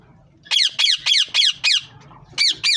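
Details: Green ringneck parrots repeating loud, rasping screeches at regular quarter-second intervals, a brief gap, then two more.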